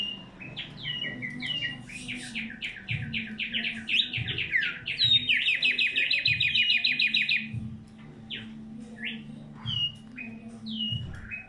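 A tumba yegua sings a lively, varied song of quick chirps and fast, bright trills.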